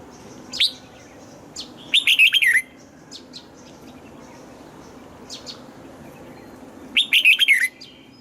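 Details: {'caption': "Red-whiskered bulbul singing in the morning during voice training for the double-note 'âm kép già rừng' style; two clear whistled phrases about five seconds apart, with a few sharp high notes in between."}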